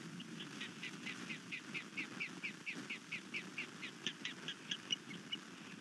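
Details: Nesting osprey on Skidaway Island near Savannah, Georgia, disturbed overnight by an intruder, March 2019. Short, harsh chirping notes repeat about twice a second, somewhat unevenly, over a low constant background rumble.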